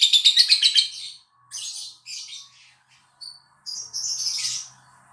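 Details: Lure song of a lovebird meant to set other lovebirds singing: a quick, grating pulsed trill, followed by several short rasping phrases with gaps and a final scratchy burst.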